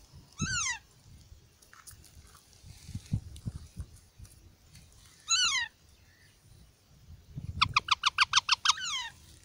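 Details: Ringneck parakeet chicks calling in a park: three separate harsh descending screeches, then a rapid burst of about ten clipped, evenly spaced notes, with low rumbling background noise throughout.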